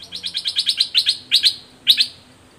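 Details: Red-whiskered bulbul used as a caged decoy, calling to an aggressive wild bird during trapping, 21 January 2021; a fast run of about nine sharp repeated chirps, then paired louder notes after short pauses.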